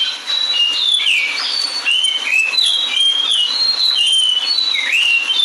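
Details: Lyrebird, a relatively ground-dwelling bird, singing in a recording played during a 2019 International Dawn Chorus radio broadcast: loud, varied whistled phrases that swoop up and down, with sliding notes and quick slurred bursts following each other without pause.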